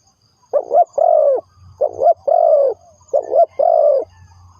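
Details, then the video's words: Spotted dove calls used as a lure for trapping: three low, mellow cooing phrases, each a short double coo followed by a longer drawn-out coo, spaced about one and a half seconds apart, with faint low rumbling between. "The Sound Of Spotted Dove is good"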